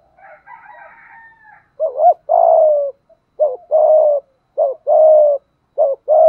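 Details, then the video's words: Spotted dove, Malaysian strain, cooing in the 'thúc gù' manner after a faint higher warbling sound at the start. It then gives four quick cycles, each a short rising doublet followed by a sustained, softly falling coo. "Tiếng chim cu gáy thúc gù, cu gáy malaisia gù thúc bài bản, chim cu gáy thúc gù bài bản"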